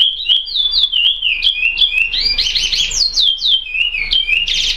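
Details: Curió, the chestnut-bellied seed finch, singing a praia song: loud, clear whistled notes sliding up and down in quick succession, with a richer, buzzier burst midway and at the end.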